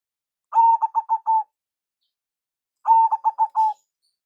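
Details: Local zebra dove with a big, special voice giving the lure call. Two phrases, about two seconds apart, each open with a long coo, break into quick stuttering notes and close on a sustained tone.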